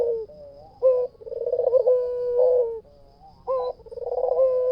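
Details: White dove singing vigorously in full voice: low, mellow coos with a sharp rising note, a rapid vibrating trill that swells, then a long steady held coo, the phrase repeating after a short pause. No other sounds.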